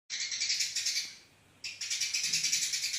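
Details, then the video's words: House sparrow style song in a fast tight pattern used as a training recording: dense bursts of rapid high chirps repeated several times a second, pausing briefly near the middle before resuming. "burung gereja gacor, masteran gereja speed rapet"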